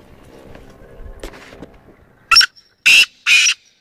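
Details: Black francolin giving a harsh, rasping call of three loud grating notes spaced about half a second apart, after a stretch of faint low background noise.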